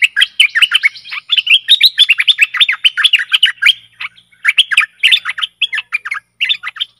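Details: Decoy recording of a Stripe-throated bulbul for luring aggressive wild birds: continuous loud, rapid chattering warble of bubbly notes, briefly pausing near the middle before resuming.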